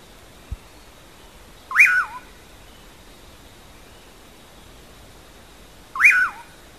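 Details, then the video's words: Common pauraque, called bacurau, giving its "amanhã eu vou" song: a soft tick, then two separate whistles about four seconds apart, each rising sharply and falling with a buzzy tail, against quiet background hiss. "Canto do Bacurau Amanha Eu Vou"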